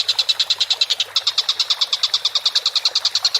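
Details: Collared kingfisher in full voice for a bird-training recording, giving a quick string of clipped, harsh notes; the series falters for a beat just past one second, then resumes at the same rapid, regular rate.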